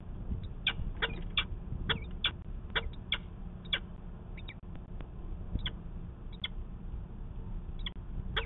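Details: Peregrine falcon calling at a nest site in Manchester, New Hampshire, on 19 February 2020, during a pair's conference. Short, sharp, high notes repeat unevenly over a low, constant rumble of background noise.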